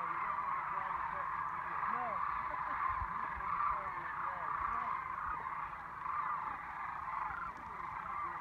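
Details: A flock of migrating sandhill cranes (Antigone canadensis) in flight over fields at Wilcox Playa calls constantly overhead, dense overlapping rolling, rattling bugles blending into a chorus, with occasional low thumps.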